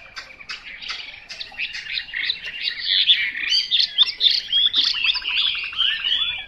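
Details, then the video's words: Song of a Chinese hwamei: sharp separated chips at first, building into a dense, rapid warble of high whistles and trilled notes that continues in loud bursts. "Họa mi mộc"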